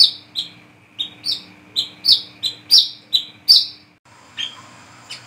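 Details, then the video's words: A brown-throated sunbird, used as a lure call, sings energetically in the wild at night, giving sharp, high, squeaky chirps about two a second, then a brief stop and a fainter, softer passage over a steady low hum. "SUARA BURUNG WICEH KOLIBRI KELAPA GACOR NGRIWIK NGEPLONG"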